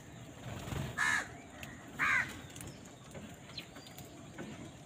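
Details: Amid a fight between crows and other birds for food, two clear, harsh caws about a second apart stand out, followed by fainter calls against steady outdoor noise.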